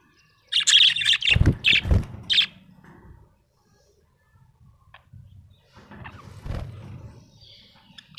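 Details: Happy pet budgerigar chirping in a quick run of harsh, high chirps with low thumps mixed in, then quieter scattered chirps and rustling.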